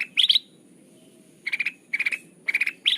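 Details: Sooty-headed bulbul lure call for trapping: a high chattering burst, then a quiet pause of about a second, followed by several more groups of rapid repeated notes.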